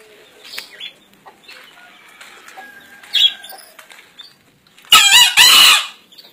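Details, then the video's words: Wild-caught male green junglefowl, 1.5 years old, from Kediri, entered in a 2016 crowing contest, gives one loud, harsh, broadband crow near the end, split into two rasping bursts, after faint chirps from small birds. "KOKOK AYAM HUTAN HIJAU"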